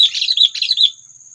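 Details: Sooty-headed bulbul call meant to provoke predators for trapping birds: one brief, dense burst of bright chattering notes lasting under a second, then quiet with a faint high hiss.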